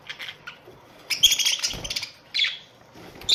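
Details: Colony of Australian budgerigars: a continuous scratchy warble with squeaky whistled notes, briefly paused, then resuming with another chirpy burst.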